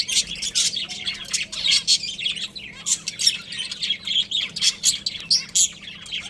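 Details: Chattering budgerigars from a captive breeding pair deliver rapid, high, scratchy chirps in clustered bursts about once a second, mixed with a few squawkier notes over a faint hum.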